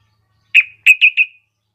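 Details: A brief phrase of four quick, slurred notes from a female yellow-vented bulbul calling a male, the first set apart, the last three tumbling together and fading.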